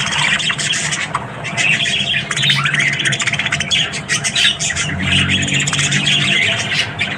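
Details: Budgerigars chattering in the morning, a steady stream of rapid squeaky warbles and clicks from several birds, with a low hum underneath.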